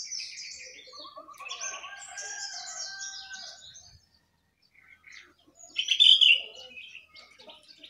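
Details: Caged jongkangan sitting atop its cage in full song, delivering a long stream of high, warbling and trilled phrases with quavering notes, a short silence, then a loud, sharp burst of chattering song.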